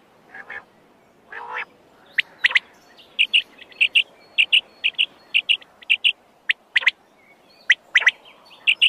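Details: Two low, nasal, buzzy notes open a wild quail sequence, followed by a steady run of short, bright piping notes and sharp high chirps.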